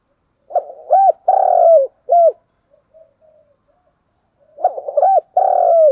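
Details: Spotted dove giving a challenging 'gù đấu' fighting coo, the 'thúc gù' style, in two phrases: a soft stutter, a looped hoot, a long rolling coo sliding down, then a short clipped coo, with a quiet gap between phrases.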